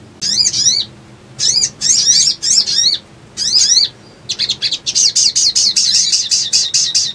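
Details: Little spiderhunter song used to lure birds into traps: spaced bursts of shrill, sweeping chirps, then a fast continuous stream of high ticking notes toward the end.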